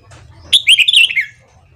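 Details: Red-whiskered bulbul morning song used to train other birds: one short bright warbled phrase of quick liquid notes sliding downward, over a faint low hum.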